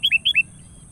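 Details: Calling to a rival, a Sooty-headed bulbul gives four quick, clear whistles in half a second, high and low notes alternating, each slurring downward.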